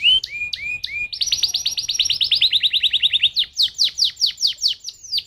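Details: Canary song played as a lure recording to set other canaries singing: a few falling whistles, then a fast, even trill of short high notes, shifting into slower, louder downward-sweeping notes.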